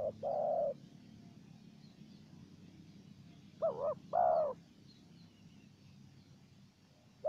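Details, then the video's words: Spotted dove, wild bird answering a decoy, gives sparse mellow coos: one short-long pair, a long silence, then a wavering note and a longer coo, against low background noise. "Pikat dan Terkukur Liar Adu Suara"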